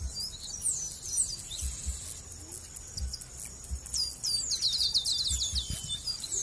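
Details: Chestnut-capped blackbird from Brazil, with a few thin chirps followed by a long, fast run of repeated high notes, over a steady background whine and occasional low bumps.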